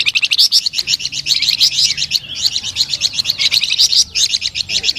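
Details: Unbroken, energetic flamboyan bird song of fast, high, evenly pulsed chirping notes running for the whole five seconds.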